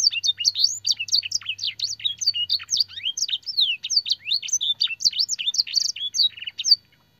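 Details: Continuously singing canary delivering a lavish training song of blackthroat and sanger phrases: a hurried cascade of bright whistled sweeps and short rattles, ending with a buzzy note before silence; a low hum fades out midway.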